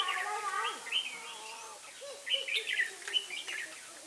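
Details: Red-whiskered bulbul at a trapping site in Ba Thá, 18 December 2016: bright, warbled phrases of short rising and falling notes repeat quickly. Lower, harmonic, sliding sounds overlap during the first two seconds.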